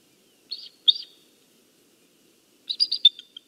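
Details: Nesting eagle pair in northeast Florida on a November 2015 morning, calling to each other while trading nest duties: two short high chittering bursts, a pause of over a second, then a longer run of rapid high chirps.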